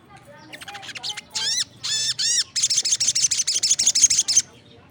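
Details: Crested jay calling loudly with other birds joining in: a few harmonic rising-falling notes, then a fast run of about twelve sharp, strongly harmonic chattering notes over faint background noise.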